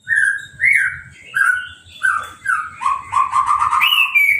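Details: Orange-headed thrush in a cage, bathed with a hose after its moult and left uncovered, gives loud, mellow whistled phrases, each a short falling slur, then a quick rippling trill that climbs at the end.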